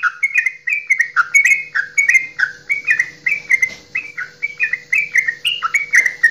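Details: Straw-headed bulbul, a local Javanese bird, giving a long loud 'goklikan' song meant to stir other birds to sing: rich liquid whistled phrases, each rolling down then up, repeated rapidly in a continuous bubbling stream with a faint steady hum beneath.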